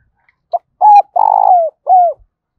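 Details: Spotted dove cooing in the urging and calling styles: a short soft note, then a clear level coo, a longer buzzy vibrating coo sliding downward, and a final arched coo, all low and mellow in a quiet setting.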